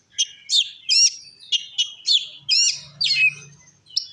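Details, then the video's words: Oriental magpie-robin in the lively 'ngeplong' style, sung to provoke rival magpie-robins: loud, scratchy, upward-sweeping phrases spaced about half a second apart, with a faint low hum underneath. "Suara Kacer Gacor Ngeplong Ampuh Memancing Emosi Kacer Lain"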